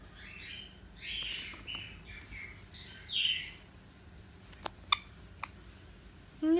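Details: Pet cockatiel indoors, described as singing: a few short chirped notes with rising and falling sweeps high up, then sharp clicks and quiet gaps.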